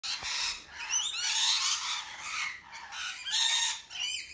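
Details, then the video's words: A large flock of rainbow lorikeets that visits each morning in Brisbane, Queensland, Australia, on March 21, 2021, gives a dense chorus of shrill, screeching calls in harsh high bursts that swell and ease roughly every two seconds. "Huge Flock of Rainbow Lorikeets Act as Alarm Clock"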